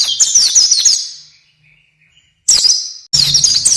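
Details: Oriental white-eye song from a long training recording for cage birds. Bursts of very high, rapid twittering, each about a second long, are broken by short silences. There is no other sound.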